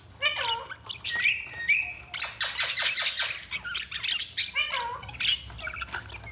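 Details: Budgerigars chirping indoors in a small room, with lively warbled chatter, looping whistles and harsh squawks overlapping in a continuous busy stream.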